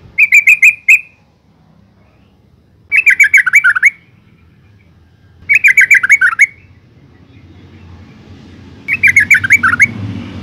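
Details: Calling female yellow-vented bulbul, played to make males sing: four even bursts of rapid bubbly chatter, roughly every three seconds, with rising background noise near the end.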